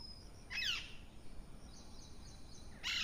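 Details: Morning parrot call: one grating, downward-sweeping screech near the start, then quiet ambience with faint distant chirps before a second harsh squawk begins right at the end.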